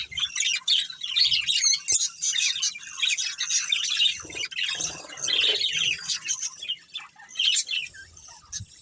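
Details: Chattering budgerigars, a breeding pair, giving a steady stream of high warbled chirps and scratchy notes, irregular in rhythm, with brief dips between bursts.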